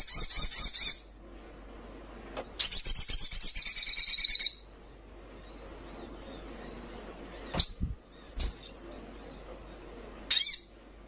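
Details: Young Brown-throated Sunbird in vigorous voice. A short high buzzy trill, a pause, then a two-second rattling trill, followed by a few isolated sharp chips amid quiet.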